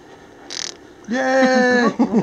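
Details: Jasper, a pet Quaker (monk) parrot, indoors at Christmas 2015, lets out a short, buzzy, raspy fart-noise imitation under a second, preceded by a quick smacking click, in room ambience.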